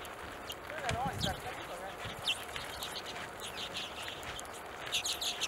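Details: Hornemann's Arctic Redpoll in Greenland, 2017, gives short, high, dry chattering notes in scattered bursts, with a quick cluster near the end; faint low voices and background rumble beneath.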